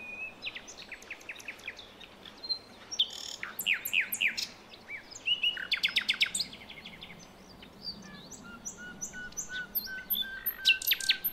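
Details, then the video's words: Wild Nightingale from forest in Java and Aceh, a female calling the male, used as a lure for young birds: scattered high chirps, a quick ticking series and short whistles over a steady low background hum. "Nightingale Bird Singing - Suara Kicau Burung Sikatan Londo Kipas Rimba Emas"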